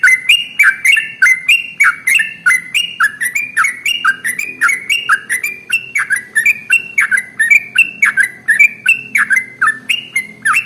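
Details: Long ropel song of a trucukan, or sooty-headed bulbul, played to coax other birds into song. Rapid, nearly unbroken stream of clicking, whistled slurs, bouncing up and down in pitch for over ten seconds.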